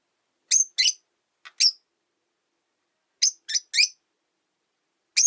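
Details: Pet rosy-faced lovebirds, three housed together in a window-side cage while the first bird objects to the yellow-faced newcomer: scattered shrill, buzzy chirps in pairs and triplets separated by silences.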